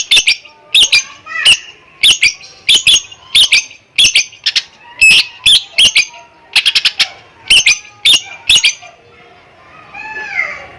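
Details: Greater green leafbird, recorded 7 August 2021, copying lovebird calls; a rapid series of piercing shrill chips in pairs and trios for nine seconds, then softer rising and falling warbled whistles.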